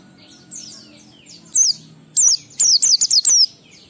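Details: Oriental white-eye ngalas song with 12345 beats, used to make other white-eyes sing. Two separate high falling chirps lead into a fast stuttering run of about six piercing notes, with soft twitters behind.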